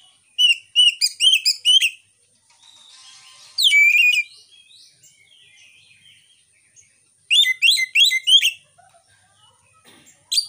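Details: White-rumped shama lure song recorded by phone, aimed at stimulating silent or young shamas; three bursts of quick bright chirping and a loud whistle separated by soft quiet warbling passages.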